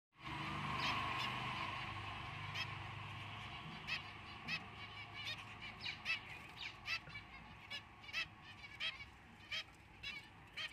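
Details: Four zebra finch chicks (one albino, two white pied, one fawn) give a buzzy, nasal chorus, then short rasping calls repeated nearly twice a second.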